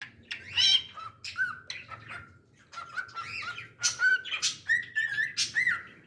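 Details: Pet cockatiel singing indoors: bursts of sharp chirps alternate with sustained clear whistled notes held at a steady pitch, some rising or bending, in a lively irregular phrase.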